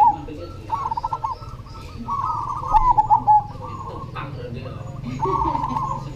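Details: Cemani zebra dove singing steadily. Stuttering coo notes and quavering trills run through several phrases, with a low droning hum in the background.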